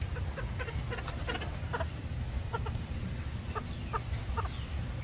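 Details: A curious Inca tern at Zoo Tampa, Florida, gives short, clipped, cackling notes in irregular bursts and quick pairs, over a steady low rumble of wind or surf.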